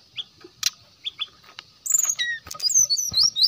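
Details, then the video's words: Brown-chested jungle flycatcher used as a lure for rival birds: faint chips at first, then a loud burst of high sliding whistles and twittering in the second half. "SRDC GACOR SRDC NYULING SRDC NGGEPLONG ,SIKATAN"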